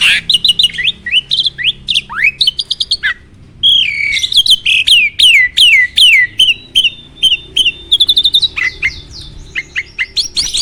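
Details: Starling song played to provoke rival singing: mixed chirps and descending whistles. After a pause it gives a series of clear downslurred whistles, then a sustained steady whistle, ending in scattered clicks and chips.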